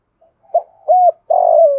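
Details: Kept spotted dove singing thúc gù in giọng thổ style, played to set wild doves calling: faint opening notes, a short note, a smooth arched coo, then a long vibrating coo falling gently in pitch.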